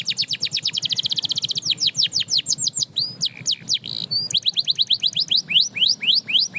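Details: Canary song that inspires other canaries to sing: a very fast rolling trill of whistled notes, slowing into separate swooping whistles, a buzzy phrase, then steady runs of bright downslurred chirps.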